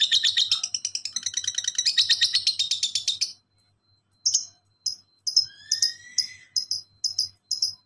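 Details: Lovebird ngekek song, a training recording meant to prompt silent birds to answer. It opens with a long, fast run of sharp, high chattering chirps. After a pause come scattered shrill chips and one rising squeaky whistle.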